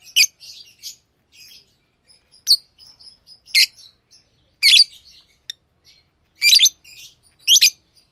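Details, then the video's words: Chattering tame lovebirds: soft twittering runs broken by loud, grating chirps that grow more frequent toward the end. "Love birds Sounds | lovebirds chirping sounds| parrot beautiful sounds"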